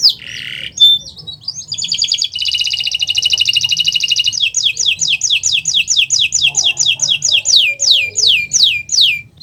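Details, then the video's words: Song of a Nusantara canary, played as a master to trigger silent canaries into singing: varied opening notes, a prolonged buzzy rattle, then a long string of quick descending whistled sweeps, faint low sound in the background. "Masteran Burung Kenari untuk Pancingan Burung Macet Bunyi"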